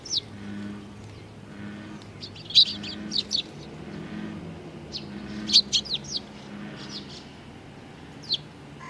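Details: Young Eurasian tree sparrows recorded on 19 June 2019 give short, high chirps in loose scattered bursts, several in quick clusters around the middle, with a faint low hum underneath.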